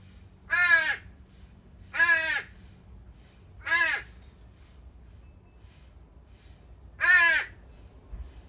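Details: Juvenile crows begging at a feeding spot where several crow families left them one morning: three rough caws about one and a half seconds apart, then a pause of three seconds before a fourth.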